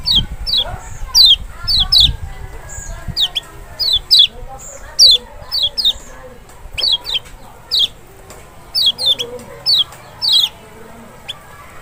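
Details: Kecial, the Lemon-bellied white-eye from Lombok or Sumbawa, in a lure recording meant to draw a reply from an unwilling bird: a lively run of many sharp, high, down-slurred notes, often in pairs, with brief pauses and a low thump near the start.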